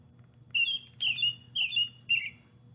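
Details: American Robin, a spring bird that pulls worms from the ground and is often heard in early morning or at sundown, gives four sharp, squeaky chirps about one every half second over a faint low hum.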